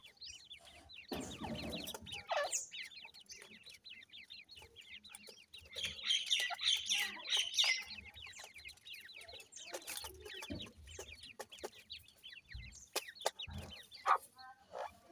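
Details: A chorus of grey francolin chicks at feeding, rapid high cheeping that swells loudly midway, interrupted by rustling and sharp clicks.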